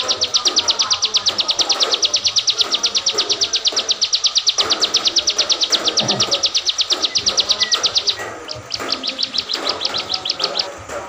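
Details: Bar-winged prinia singing persistently, said to keep calling regardless of people or rain: a long, rapid series of high, buzzy notes, about three per second, with a brief pause before resuming; faint background noise.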